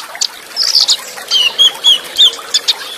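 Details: Olive-backed sunbird tutor material in the cililin-burst style with fast rolls and tight pauses: a few high chips, then a row of clear, thin downslurred whistles spaced about a third of a second apart, water trickling behind.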